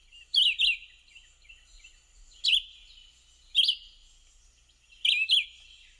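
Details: Red-eyed Vireo, a summer resident at a preserve in Cedar Hill, Texas, singing short, high, slurred phrases, each a quick burst, spaced about one to one and a half seconds apart, with no other sounds.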